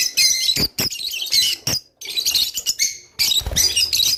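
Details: Rice finch song used to get caged birds mating; nearly continuous high chattering and squeaky trills with a brief pause midway, plus some low knocking sounds near the end.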